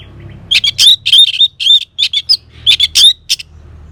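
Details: Orange-headed thrush song: loud, high, sharp phrases of squeaky whistles and chattering notes, delivered in quick bursts of rapid, irregular notes with short gaps, over a low background hum.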